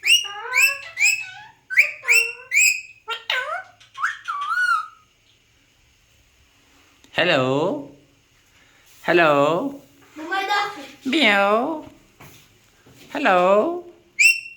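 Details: Talking Alexandrine parakeet mimicking speech: a quick run of bright whistled, chirpy notes over the first five seconds, then a pause and several drawn-out, meow-like harmonic calls spaced about two seconds apart.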